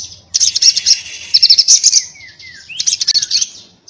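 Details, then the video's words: Little spiderhunter (sogon) giving 'ngobra' fighting chatter: two bursts of rapid, piercing high notes with short descending whistled slurs between them. "sogon gacor ngobra TARUNG NGALAS TAJAM"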